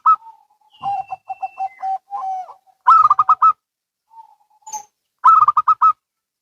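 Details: Local and Bangkok zebra doves answering each other: soft low coos in a stuttering row, then two loud bursts of five or six quick, ringing cooing notes, about two seconds apart.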